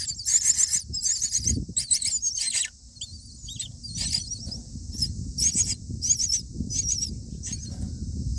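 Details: Chicks of common myna begging in the nest on day nine as parents deliver food; separate bursts of sharp, squeaky, rasping calls about every half second, over a low rumble.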